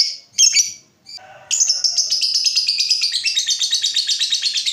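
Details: Lovebird long trill, ngekek panjang, used to stimulate other lovebirds to sing: a few sharp high chirps, a brief pause, then a sustained rapid pulsing chatter running unbroken for over three seconds.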